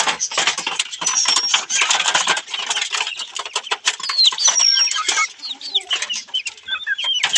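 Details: Australorp chickens looking for food in a hand give a busy mix of soft clucks and thin, high peeping notes, with scratchy rustling throughout.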